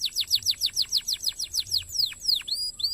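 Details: Canary song for training contest songbirds, a steady run of about fifteen quick downward-sweeping whistled notes, evenly spaced, then a few longer slurred whistles, over a faint continuous high tone and low background hum.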